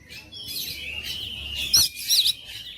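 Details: Oriental magpie-robin giving a sustained thin whistle, then a sharp crack and two bright chattering bursts in quick succession.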